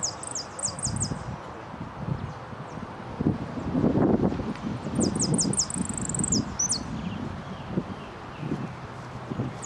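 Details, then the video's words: Saffron finch, second-place singer in the repique category at Nuevo Irupé on 15 01 12, giving two bursts of quick, high, downslurred notes ending in a drawn-out trill, with wind and rustling noise throughout. "2do puesto en blanco de repique"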